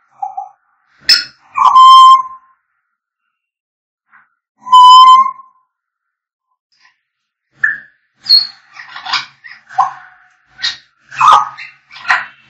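Grey parrot giving two long, clear mid-pitched whistles a few seconds apart, then a fast jumble of squeaks, clicks and short chattering notes.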